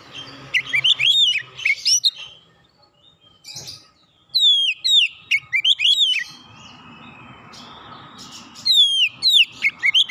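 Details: Oriental magpie-robin calling: three bursts of bright whistles, falling slurs and sharp chirps, with quieter gaps and faint background hum between phrases.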